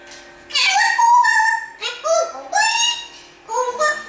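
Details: Pet African grey parrot in Australia at Christmas, singing Jingle Bells and other things: speech-like phrases in a human-sounding voice, several short bursts separated by pauses, indoors.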